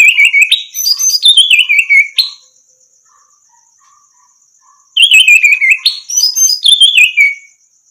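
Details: Orange-headed thrush in full song as a training recording for other birds: two extended phrases of rich, descending whistled notes mixed with chattering trills, a pause between them. Faint insect-like buzzing continues throughout.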